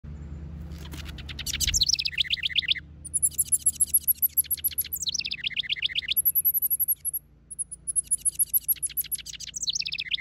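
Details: Male house wren in a backyard, building a nest for the female to inspect: bubbly, rapid song bursts starting with high thin notes and tumbling into fast chattering trills, repeated every few seconds, over low background hum.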